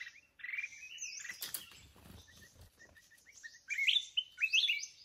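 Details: Red-whiskered bulbul of the mountain type, singing during trapping with a caged decoy bird; bright warbled phrases around mid-high pitch open and close the stretch, with a burst of rustling, clattering noise in the middle and short repeated chips.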